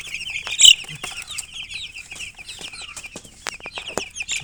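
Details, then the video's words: Baby chickens peeping, a dense chorus of short high chirps with one louder peep near the start and scattered clicks and taps throughout. "Baby "Chicks Chirping" Sound"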